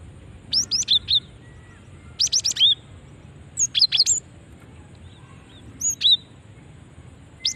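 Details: Lure call of a female cinereous tit, meant to prompt other cinereous tits to answer; four separate groups of thin, high chirps and slurred whistles spread over several seconds.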